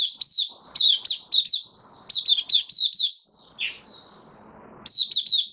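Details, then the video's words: Caged White-eye (Mata Puteh) singing openly on 18 May 2022 after regular deworming: bursts of high, sharply slurred whistled notes in quick runs, pausing between phrases, with soft thin twittering in the gaps. "Mata Puteh Kitaro buka sing"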